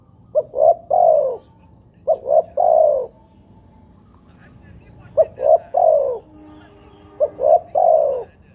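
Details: Spotted dove (tekukur) playback call; low three-note coo phrases, short-short-long, repeated, with a faint low tone and brief background noise midway.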